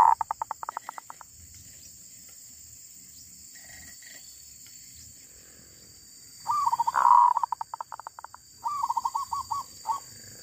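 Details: Wild female zebra dove. A stuttering run of short notes opens, then after a pause a swelling coo with a rapid rattle, then a row of five quick looping notes.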